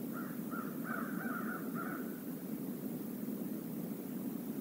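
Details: A flock of crows visiting the stream area near the Decorah North eagle nest, 28 November 2021, on a live camera: five or six hoarse caws in quick succession during the first two seconds, behind steady loud hiss.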